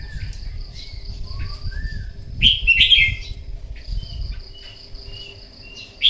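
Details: Morning competitive song of a red-whiskered bulbul used for voice training: soft, gliding whistles, then a loud chattering burst and more short whistled notes, over a faint, constant high tone.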